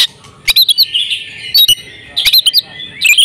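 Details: Oriental magpie-robin female in breeding condition, used to draw song from males: clusters of quick high chirps separated by pauses, with a soft buzzy whistle in between.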